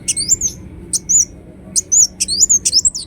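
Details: Ruby-cheeked sunbird giving an energetic gacor lure song: short groups of sharp, high squeaky chirps with bending whistled notes, repeated in quick phrases across three seconds with brief pauses between.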